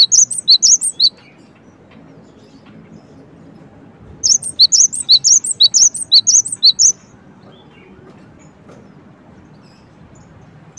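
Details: Short burst of high, sharp chirps from a Cinereous tit, then silence, then a longer rapid series of piercing tweets before another long quiet stretch.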